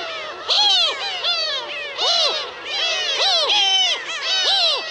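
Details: Several Black-tailed gulls (Larus crassirostris) give loud, nasal, mewing calls that rise and fall, overlapping in a steady chorus about every second.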